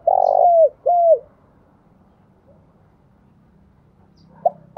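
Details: Decoy spotted dove giving a long, rough coo sliding down, then a shorter falling coo, followed by quiet and the start of another phrase near the end.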